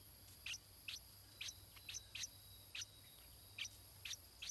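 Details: A chick of the stripe-throated bulbul calls from its nest during feeding. High, clipped chirps drop in pitch, spaced about half a second to a second apart, over a light background hiss.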